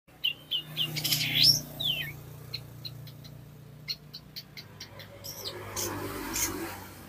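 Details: Long-tailed shrike in lively full song, used as a master recording for training other birds and provoking them to sing: sharp whistled slurs and harsh scratchy bursts, with scattered clicks and chattering notes over a low background hum.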